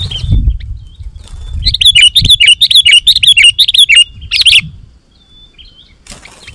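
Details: Lively singing of a sooty-headed bulbul, used to draw wild bulbuls to reply: a rapid string of about twelve sharp, clear chirps lasting three seconds, followed by a louder burst and a faint later note, over low rumbling background noise.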